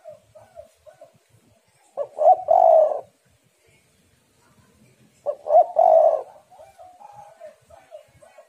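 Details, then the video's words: Female spotted dove lure call meant to prompt males: two loud phrases of clipped hoots ending in a prolonged hoarse coo, about three seconds apart. Soft muttered notes sit between and after them. "tekukur super gacor suara betina yang sedang sange"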